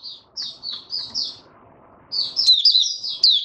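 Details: Caged male white-eye singing to steady his form: a few separate high whistled notes, a short pause with low rustling, then a fast, intense burst of twittering.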